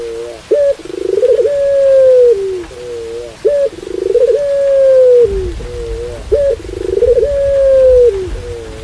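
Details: Barbary dove in pelung style coos three times at a steady pace. Each phrase has a short doubled note, a quick upward yelp, a tremulous roll and a long sustained hoot curving downward. Rain rumbles low in the background midway.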